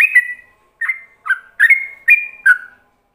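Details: Yellow-vented bulbul ropelan song meant as a model for other bulbuls: a loud opening whistle, a pause, then five fluty slurred phrases in an uneven, lilting rhythm.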